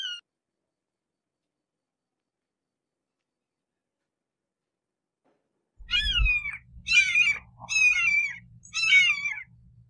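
Red-shouldered hawk giving four loud, harsh, downslurred kee-ah screams about a second apart after a long silence, with a low wind rumble beneath.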